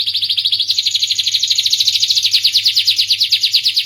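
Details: Starblue canary singing: a fast, continuous run of high trilled notes, first a dense buzzy stretch, then pulsed syllables repeated about three times a second, rising slightly in pitch; faint low hum beneath.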